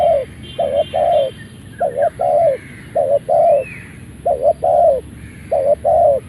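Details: Malay-line spotted dove crowing right after leaving its box: mellow mid-pitched coos in short groups of two or three, repeated about every second, with a faint higher bird call in the background.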